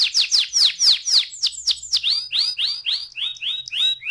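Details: Canary song used as a lure to set off rolling song: loud sweeping chirps in rapid sequence, changing to rounder, repeated whistled notes at a steady quick pace.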